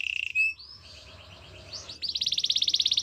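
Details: Softly recorded canary in champion training song: a short low trill, a rising slurred whistle, a quiet wavering passage, then a rapid high pulsing trill of even notes lasting about a second.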